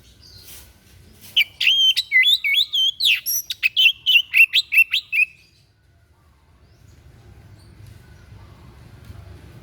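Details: Unusual training song from a white-breasted bird: one four-second burst of rapid, bright whistles with twisting upslurs and downslurs and a few sharp clicks, ending abruptly, then near silence with faint low rumble.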